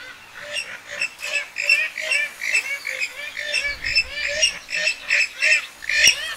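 Western Swamphen giving loud, nasal, honking calls in quick bursts about every half second, harsh and rising, with a low rumble underneath.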